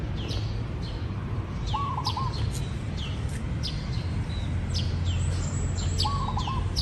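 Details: Two quick, stammering coo phrases from a zebra dove, about four seconds apart. Repeated sharp high chirps from other birds and a continuous hiss sit behind them.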